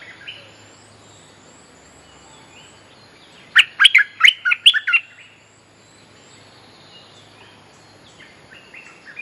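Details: Bulbul song used as a lure for calling a mate and training young birds: a quick burst of about seven bright, chirping notes in under two seconds, set between long quiet stretches with faint distant bird notes.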